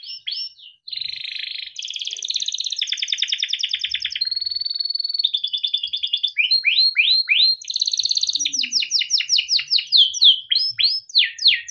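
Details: Long, nonstop song of a caged male yellow canary in Indonesia, meant as a tutor recording for young birds; varied rapid trills, a steady whistled note, rising slurs and rolling chatter follow one another without pause.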